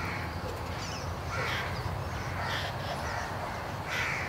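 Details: Hungry Jungle Babbler chicks, a pair fallen prematurely below their bamboo-thicket nest, call for the parent: rough, hoarse squawks repeated roughly once a second against a constant low background drone.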